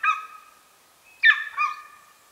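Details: Golden eagle recorded near its nest in the remote Carpathian mountains of Northern Romania: a few brief, harsh, harmonic-rich yelping notes, one short and then a pair close together after a pause, against a quiet background.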